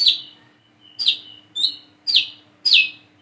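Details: A coconut sunbird (kolibri kelapa, wiceh), described as a bird learning its call, gives five sharp, high, downslurred chirps, about one every two-thirds of a second, over a faint steady hum; identified as plain-throated or brown-throated sunbird.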